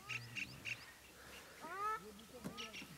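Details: A red-wattled lapwing in Sariska Tiger Reserve, among Aravali Hills grassland and dry deciduous forest, gives three sharp, high notes in quick succession, then two more, with a person's voice in between.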